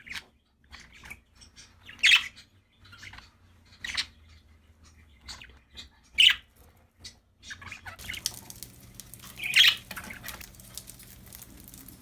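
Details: Happy pet budgies giving scattered soft chirps and a few sharper squawks over twelve seconds, with faint background hum and a noisier stretch in the last few seconds.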